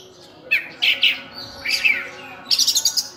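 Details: Oriental magpie-robin in full varied song, known locally as burung cincim pala, giving bursts of bright warbled and whistled notes separated by short pauses over a steady background hiss.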